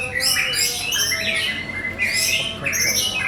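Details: White-rumped shama delivering loud, bright whistled phrases mixed with sharp chattering notes, bursts coming in quick succession and climbing high, over faint background hum.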